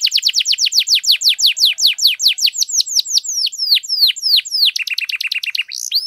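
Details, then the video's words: Canary in long gacor-style song, played to stir silent canaries into singing: a fast run of high downward-sweeping whistles, about three per second, ending in a quick buzzy trill and a final upward slur; no other sounds. "KENARI GACOR PANJANG, AMPUH NAIKKAN EMOSI KENARI MACET AGAR CEPAT BUNYI"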